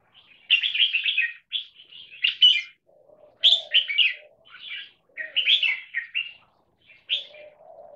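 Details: Red-whiskered bulbul, a frequent trained cage singer, delivering lively chirping double-note phrases in quick bursts, with faint lower murmuring sounds underneath between phrases.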